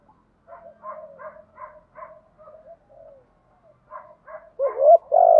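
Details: Spotted dove decoy luring wild doves: a string of soft, evenly spaced murmuring notes, then a loud, hoarse, deep coo phrase rising at the close.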